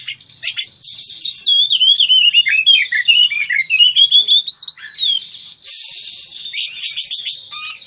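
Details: Oriental magpie-robin singing during mating, used to coax a stalled kacer back into song: long, rich warbled sequence of wavering whistles and rapid chirps, ending with a brief rush of noise and a few short clicks.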